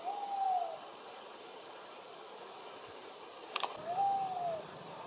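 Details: Tawny owl calling: two clear, smooth hoots, each gently rising then falling, about four seconds apart, with a brief click between them and steady background hiss.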